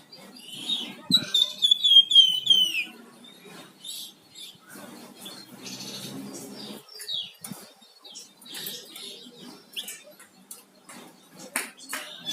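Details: Flamboyan songbird singing actively: a quick run of high, bright chirps and twittering whistles in the first three seconds, then scattered sharp clicks and short chirps over faint background hiss.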